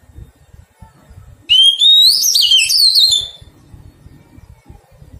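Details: A single ringing phrase from a wild-caught Oriental magpie-robin under taming: a clear upslurred whistle turning into quick, twisting warbles for about two seconds, with soft tapping sounds before and after.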